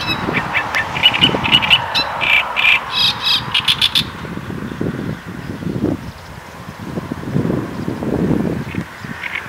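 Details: Great reed warbler giving harsh, croaky chattering notes in quick bursts through the first four seconds, fading to scattered faint notes later, over steady low rumbling background noise.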